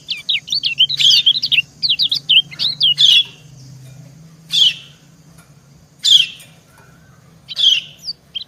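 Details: Quick series of high, wavering white-eye chirps from a female answering a male, followed by spaced, harsher single notes about every one and a half seconds.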